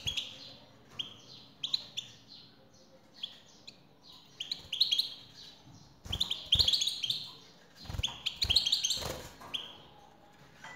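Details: Extended song of a male European goldfinch reacting to a female call: a continuous stream of bright, tinkling twitters and chirps that grows denser and louder midway, with scattered low knocks.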